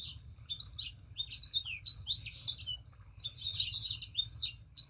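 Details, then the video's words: Sangihe shrike-thrush singing vigorously, used as a lure to prompt other kept birds to sing: fast, jumbled high twittering of short sweeping and chirping notes in two dense bursts with a brief pause between, over a low background hum. "Burung Sanger Gacor. Pancingan Burung Sanger Supaya Ikut Gacor"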